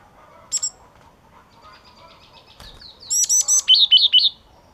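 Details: Yellow-cheeked tit song: an opening double chip, then a fast run of about eight ringing high notes, the later ones dipping slightly lower, delivered in roughly one and a half seconds.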